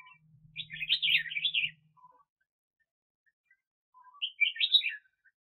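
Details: Red-whiskered bulbul used as a decoy bird for trapping, recorded in 2021: two bright, warbling bursts of rapid chirpy notes about two seconds apart, each preceded by a soft lower whistle, with faint low hum beneath.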